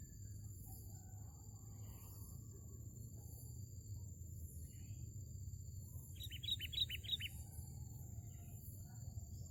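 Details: Sooty-headed bulbul recorded during bird trapping: one quick burst of about six bright, bubbling notes midway through, over steady low rumbling background noise and faint insect hiss.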